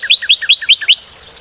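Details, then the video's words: Brief Northern cardinal phrase of five quick two-part whistled notes, each dipping then rising, delivered evenly before fading. "Cardinal:Découvrir le chant et la beauté du Cardinal du Nord"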